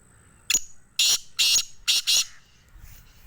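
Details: Black francolin (kala teeter) in Sindh, Pakistan: loud, harsh, grating call of five rasping bursts in quick rhythm, a short note then two longer pairs, over quiet background.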